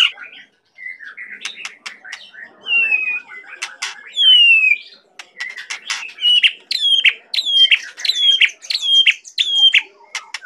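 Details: White-rumped shama song: a varied sequence of sharp clicks, slurred whistles and falling notes, building into a series of loud repeated whistled phrases.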